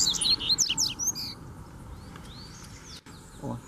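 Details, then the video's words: Double-collared seedeater singing in Brazil, a caged bird with a free wild bird come to show who is boss: a burst of quick high buzzy chirps and sweeping whistles for about a second, then quieter faint notes and a man's voice. "SERA QUE MEU COLEIRO CORREU? O SOLTO VEIO PRA MOSTRAR QUEM MANDA!!!"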